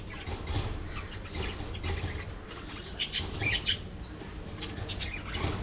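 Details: Budgerigar flock in a colony, soft background warbling with a brief louder cluster of squeaky chirps midway, steady low-pitched hum throughout.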